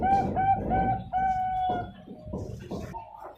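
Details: Zebra dove bred at a bird farm in Pasuruan, East Java, Indonesia, hatched 10 March 2022, singing in the style with many middle notes and a long ending: clear mid-pitched tonal coos, short notes then a drawn-out one, with background clatter.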